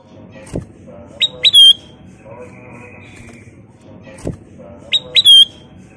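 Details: Kutilang emas bulbul lure song, phrase given twice about four seconds apart: quick rising notes ending in a bright drawn-out whistle, over a low steady background hum.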